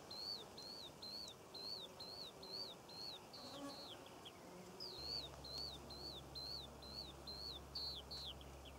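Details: A skylark singing over poppy fields in Cornwall in June 2014 pours out a steady, high, buzzy string of quick repeated chirps, with a low rumble of wind joining partway through.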